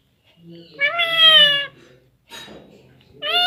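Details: Hindi-talking pet parrot, nine months and nineteen days old, utters one long, loud, steady high-pitched phrase, then a brief raspy noise, and begins another loud phrase at the end; quiet human voice beneath.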